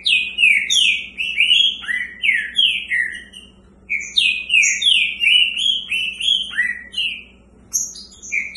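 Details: Green-winged saltators in cages, a pair competing: steady bursts of strong swooping whistles falling in pitch, rapid and repeated in short phrases, sparkling high notes overhead, and a quiet stretch before the song resumes.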